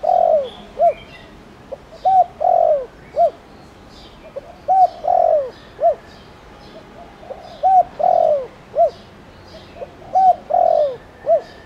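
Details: Spotted dove in Thổ Đồng voice, kept as a lure to make wild doves call: four full low cooing phrases, each a brief note, a coo, a drawn-out falling purr and a short final coo, repeated about every two and a half seconds.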